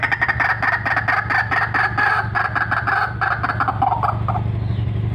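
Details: Loud calling of a white-breasted waterhen, a vocal fighter-type bird, with a recording meant for luring: a rapid run of rough, nasal croaks repeated in quick succession, fading into a few softer notes at the end over low background hum.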